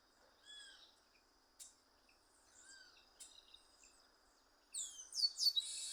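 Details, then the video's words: Wild chestnut-capped blackbird in nature: soft slurred whistles and sharp ticks, ending in a loud, harsh, buzzy high-pitched outburst of several rough notes, with a constant insect drone behind. "Pássaro Garibaldi, cantando na natureza"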